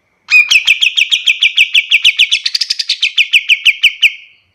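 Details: White-shouldered triller singing a long trill of some twenty-five quick, bright chirps lasting nearly four seconds, briefly rising and buzzier midway, kept as a master recording for other birds.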